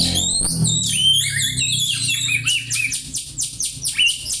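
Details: Oriental magpie-robin song mimicking a house sparrow, suited as tutoring material; opens with fluid whistled downslurs, then turns to a quick regular train of sharp, sparrow-like chirps.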